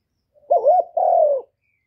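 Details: Spotted dove coo for stimulating newly kept birds: a soft lead-in, then a wavering hollow note and a longer, smooth, gently falling note, each about half a second, with no other sounds.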